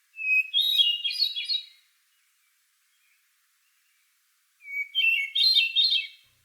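A Hermit Thrush sings two flutelike phrases, each opening on a clear held whistle and spiralling upward into ethereal, ringing notes, with a pause of about three seconds between.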